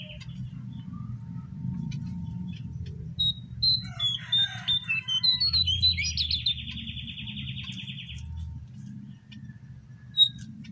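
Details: Brown prinia song used as a lure to prompt captive or wild birds to call: scattered sharp chirps build into quick twittering, then a buzzy trill lasting about two seconds, over constant low rumbling noise.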